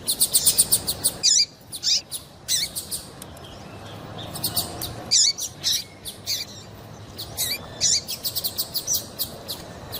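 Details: A female double-collared seedeater calls to get a male singing: quick strings of thin high ticks alternate with louder chirps that slur downward, repeated through the passage.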